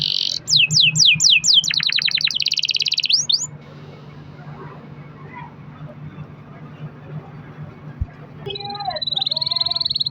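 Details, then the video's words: Canary singing as a lure recording to prompt other canaries: a run of high descending notes and a dense rolling trill for about three seconds, a long near-silent gap, then another rolling trill at the end. "kenari gacor ROL PANJANG buat pancingan kenari agar bunyi jadikan burung kenari gacor"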